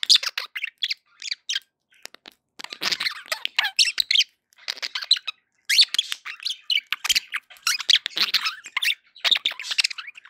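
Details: Happy pet budgerigars in continuous busy chatter: rapid, scratchy warbles and squeaks packed densely together, pausing briefly only a few times.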